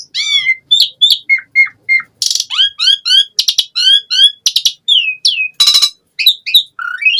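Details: Asian pied starling pouring out a rich full-isian song, crisp whistled notes rising and falling about three per second, broken by two grating rasps.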